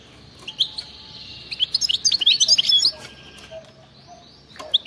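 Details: European goldfinch in wild-style song with 'bitbita' trills: a short burst of quick, tinkling twitters in the middle, then scattered thin single notes against a quiet background.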